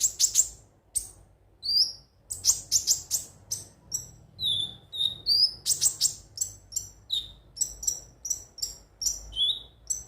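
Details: Konin (ruby-cheeked sunbird) song used to stimulate singing: continuous rapid twittering of high, sharp chirps mixed with short falling whistles, fairly loud throughout; low faint rumble beneath.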